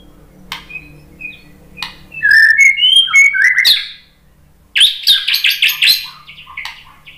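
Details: White-rumped shama, a lure recording to draw a reply: varied fluted whistles and an upward sweep, then a rapid run of harsh repeated chattering notes after a silent gap.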